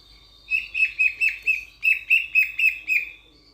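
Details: Loud-voiced Sulawesi myna from Sulawesi, Indonesia, a kind of starling, giving two bouncy runs of ringing, downslurred whistles, five notes then four more, delivered about four per second over a faint low hum.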